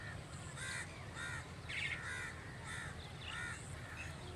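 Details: Crow cawing steadily, short rasping caws about every half-second to second, over a constant low hum.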